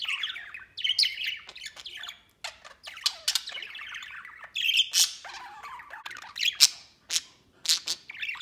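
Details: Budgerigars at play outside the cage, a white male among them: long run of rapid twittering and warbling interrupted by short harsh squawks and brief pauses.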